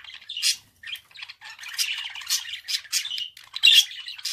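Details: Budgerigar singing a busy mix of grating chatter, clicks and shrill squeaks in quick irregular bursts, loudest toward the end.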